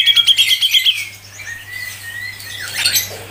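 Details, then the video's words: Grey-cheeked bulbul (cucak jenggot), a tutor recording in fast, tight 'ngepik' style: a quick run of about eight loud, high ticking notes, then softer drawn-out whistles and a rising, then falling, scratchy phrase, with a faint hum. "CUCAK JENGGOT MBESET NGEPIK RAPET | masteran cucak jenggot"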